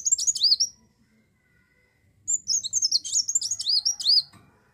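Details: Short high twittering burst, a second of silence, then a fuller run of rapid, swooping, very high notes; olive-backed sunbird singing 'gacor', used to lure other birds into song.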